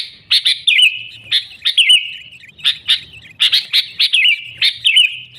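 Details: Sooty-headed bulbul singing vigorously in a recording of genuine birds without mixed-in songs, used as a lure to trap wild bulbuls: short bubbly whistled phrases with sharp chirps, repeated in bursts roughly every second, with a faint low rumble below.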